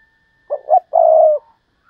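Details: Decoy spotted dove in the Thúc Lợi Cốt style: two brief, rounded low notes, a short gap, then one long, level coo of about half a second.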